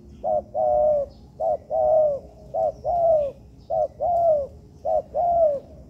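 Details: Spotted dove learner in an artificial yard coos in a very regular rhythm. It gives five phrases, each a short hoot followed by a longer, bending coo, repeating roughly once a second.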